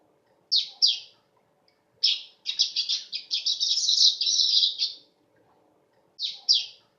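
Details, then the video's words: Weaver singing, a bright high chirping song: two short sharp notes, then a long fast rattling run of buzzy chirps lasting about three seconds, then two more short notes; quiet background. "Beginilah Kicau Burung Manyar"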